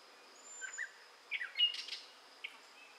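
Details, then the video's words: Gray catbird singing in southwest Michigan in May 2011: scattered bursts of short, squeaky, slurred notes in jumbled phrases, with a steady high hum and a thin high whistle in the background. "Gray Catbird Singing in Michigan"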